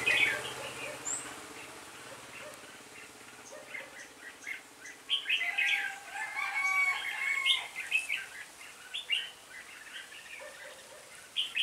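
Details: Red-whiskered bulbul decoy used in trapping, calling wild birds in on 26 November 2017, when 20 were caught: bright chirps and warbled whistles in rapid bursts, with several birds overlapping and quieter gaps between phrases.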